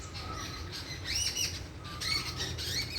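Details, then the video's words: Small birds singing outdoors: high thin whistled chirps and short upslurred notes, some overlapping, with a lower steady whistle near one kilohertz, over a constant low rumble of background noise. "A ear soothing sound of cute birds"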